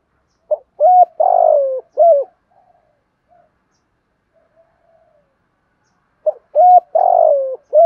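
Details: Male and female spotted doves cooing, recorded for training captive birds; a low, hollow phrase of a short note, a drawn-out wavering coo and a final note, repeated after a quiet gap of about four seconds.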